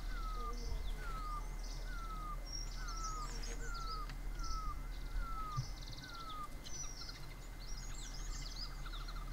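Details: Great barbet, also called great hill or Himalayan barbet: a loud series of downward-sliding notes, about two each second, over a steady hum, with high chirps from other birds above.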